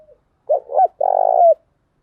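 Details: Spotted dove decoy song for attracting wild doves: a faint note, then a crisp two-note coo and a long, rough, level purr that drops at its end, in a quiet setting.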